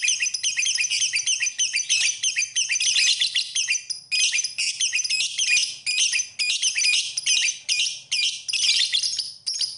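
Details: Lovebird song as master audio: a dense chatter of high chirps for four seconds, then a series of separate short bursts of shrill twittering, roughly one every second.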